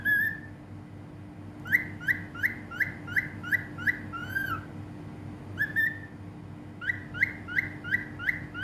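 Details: Cockatiel in Bahrain whistling and singing: a run of clear, mid-pitched whistled notes with upward flicks, about three per second, in two bursts separated by a short pause, with a steady low hum underneath.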